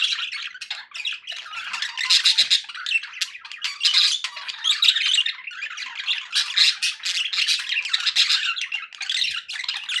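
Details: Continuous budgerigar chatter for keeping pet parakeets company, a steady, harsh stream of overlapping squawks, buzzes and trills that rises and falls in loudness without a break.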